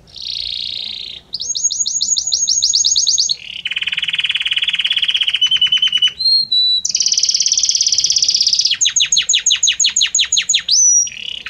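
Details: A Belgian canary's song moves through distinct tours: a buzzy opening, a rapid series of sharp high notes, a lower dense trill, brief pure whistles, a bright buzz, and finally quick descending chirps repeated in a steady rhythm.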